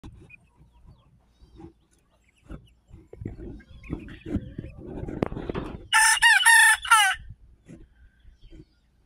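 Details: Mille Fleur d'Uccle rooster among backyard chicks crows once, a harsh, strained, harmonic-rich cry lasting about a second with a brief break, after several seconds of soft low clucking, scratching and rustling.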